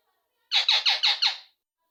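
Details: Talkative rose-ringed parakeet kept as a pet, chattering indoors: five evenly spaced, loud, grating squeaks about a fifth of a second apart, in one burst lasting a second.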